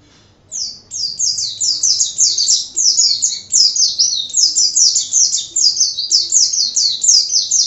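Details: Oriental white-eye (pleci) singing in nonstop 'gacor' style: a dense run of high, thin, downslurred chirps repeated rapidly and unbroken for about seven seconds after a brief silent start.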